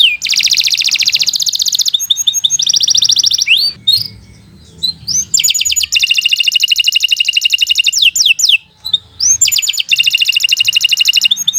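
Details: Canary in sustained song used to coax young or stalled canaries into singing: dense, fast high trills broken by short gaps, with upward-sweeping whistles between the rolling phrases.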